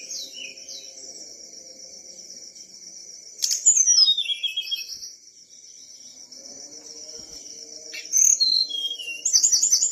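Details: Whistler in full song: a long steady high whistle, then bursts of loud rapid sliding notes and trills near the middle and again toward the end, over a faint low hum.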